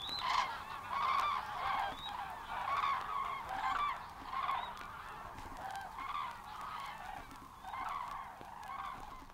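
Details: Common Cranes in a 1979 Matsalu, USSR field recording: softer, more distant trumpeting calls from several birds repeat in rhythmic pulses, roughly every second, swelling and fading.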